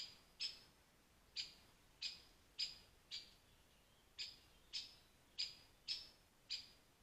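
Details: European pied flycatcher, described as rare, beside a woodland pond in Wales, giving eleven crisp, high, clipped notes in a loose, slightly uneven series, roughly one every half second, with nothing else clearly audible.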